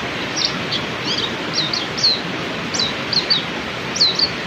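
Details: During heavy rain, which is said to make these birds sing, an Oriental white-eye gives thin, high, sweet chirps and short twittering phrases at irregular intervals, half-buried under the steady hiss of the rain.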